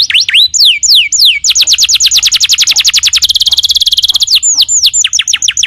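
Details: Canary song used as a training recording for other birds: loud high whistled notes sweeping down, then a fast rapid trill of repeated rising notes, a buzzy steady roll, and more downslurred whistles.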